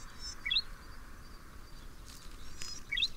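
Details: Golden-headed Cisticola of the Taiwan endemic subspecies, recorded in Pingtung County, Taiwan, in 2015, a resident of lowland grassland: two short, rising chirps about two and a half seconds apart, over a steady hiss of outdoor noise.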